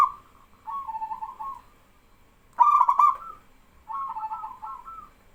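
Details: Local male zebra dove singing vigorously, prompting trainee doves to join in; three trilled cooing phrases, one starting with a loud stuttering burst, separated by short pauses, with faint background hiss.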